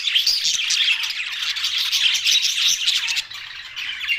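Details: Budgerigars, Australian parrots, keep up a loud, steady twittering chorus of rapid chirps and warbles that briefly drops in volume near the end.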